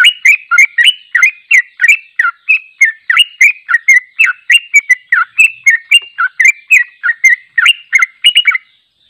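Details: Long unbroken 'ropel' song of a sooty-headed bulbul, unedited and meant for training: steady chains of quick, bright, downslurred whistles about three to four per second, continuing without pause for the whole stretch.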